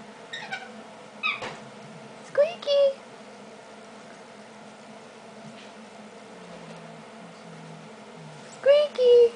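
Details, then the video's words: Baby female eclectus parrot indoors copying the noise of her squeaky toy: brief rising squeaks followed by flat drawn-out squeals in two pairs, several seconds apart, with low household hum. "Baby Female Eclectus Talking"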